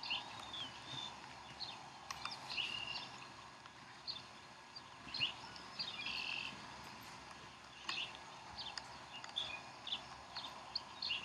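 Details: Bald eagles at the Decorah nest on 04-11-2012 as chicks are fed, with thin high chirps and squeals scattered through steady hiss. Several short bursts come in loose clusters.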